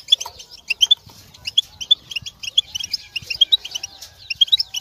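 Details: European goldfinch mating and readiness calls meant to make a silent male sing and leave moult: quick clusters of bright twittering chirps, uneven in rhythm, steady throughout.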